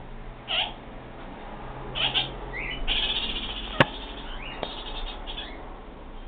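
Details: Kakariki sounding off with short scratchy chatters and rising squeaky notes, spaced irregularly, plus a couple of sharp clicks and a low constant hum in the background.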